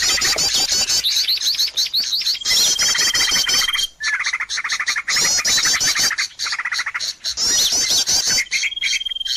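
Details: Lively lure recording meant to bring birds close: bursts of dense high chirps and trills from many birds broken by short pauses, plus a steady thin whistle held for several seconds.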